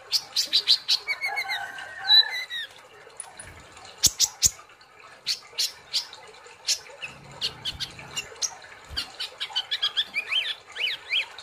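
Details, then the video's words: Kolibri ninja sunbird in an energetic song session: high bursts of chirps and descending whistles, scattered sharp clicks, and short rising squeaky notes near the end, with a brief low rumble midway. "Terapi kolibri Ninja ( konin ) Gacor Ngobra Nembak"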